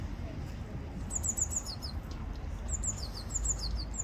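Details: Eurasian blue tit (Cyanistes caeruleus), song.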